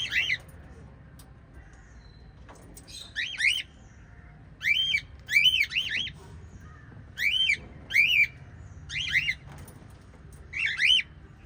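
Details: Lovebirds, a family group of five, give harsh, rising-and-falling chirps in quick clusters of two or three, with pauses between.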